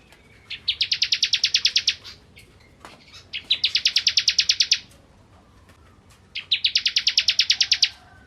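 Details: Bar-winged prinia ('ciblek kristal') giving three rapid, buzzy trills of high, evenly spaced notes, each lasting over a second and separated by short silent gaps with faint single chips.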